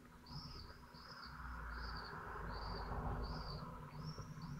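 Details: Twelve-day-old falcon chicks at a nest in Théding, 22 June 2023, taking turns trying to swallow a large prey item. Thin, high squealing notes are repeated about three times a second over a low rumbling background hum.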